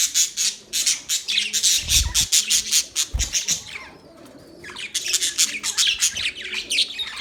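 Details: Budgies chirping nearly nonstop, a dense chatter of high, scratchy notes repeated quickly, dropping briefly to quiet midway before the busy warbling picks up again, with occasional dull thuds.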